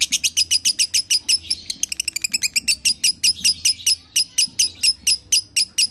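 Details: Lovebird song played to coax a pet lovebird into singing again: sharp, buzzy chirps repeated steadily about every quarter second, with a brief faster rattling burst in the middle.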